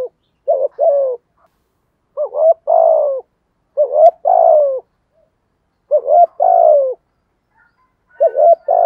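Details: Steady 'giọng thổ' cooing from a spotted dove: five evenly spaced low phrases, each a short quavering double hoot running into a sustained, gently descending coo, over an otherwise quiet background.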